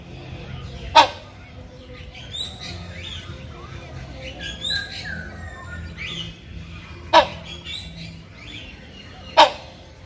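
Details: A male hornbill (Buceros) in breeding condition calls to a female with three loud, harsh, explosive honks at uneven intervals, over thin chirps and whistles from smaller birds.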